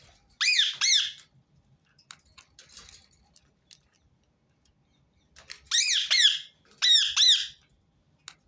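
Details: Rose-ringed parakeet call played on repeat to prompt other birds to sing: two pairs of harsh, rasping screeches, each pair quick and downward-arched, separated by a few seconds of near silence with faint clicks.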